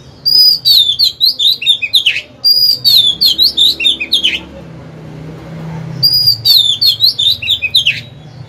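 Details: Oriental magpie-robin decoy bird singing to lure rivals into a fight: three loud bursts of high, clear whistled and warbled notes, each phrase rising then sliding down, separated by quiet pauses with low background hum.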